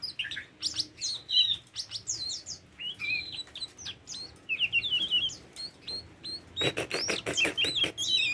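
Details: Varied singing from a tame Oriental magpie-robin, mixing mellow whistled notes, wavering warbles and scratchy chirps, ending in a fast burst of dry clicking notes blended with bright whistles.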